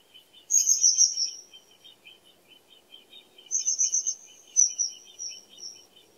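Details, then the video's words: Common kingfisher: loud bursts of high, trilled, piercing whistles that trail off and fall in pitch, heard twice. A lower, quick chattering from another bird runs underneath throughout. "The song of the Kingfisher"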